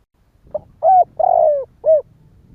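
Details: Spotted dove in Vietnam cooing a phrase of a soft lead-in note, a short coo, a long slightly falling coo and a closing short coo, over faint low background rumble.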